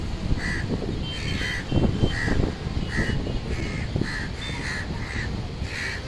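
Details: A crow at a nest on a high-rise apartment building gives short, harsh caws in an irregular series, several per second at times, over steady low city rumble.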